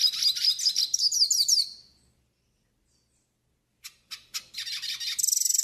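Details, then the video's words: Hooded siskin from the northeast singing a training song: a quick warbled twitter fades out, and after nearly two seconds of quiet, sharp single chirps build into renewed rapid song ending in a high trill. "CANTO PARA ENCARTE E ESQUENTA PINTASSILGO DO NORDESTE"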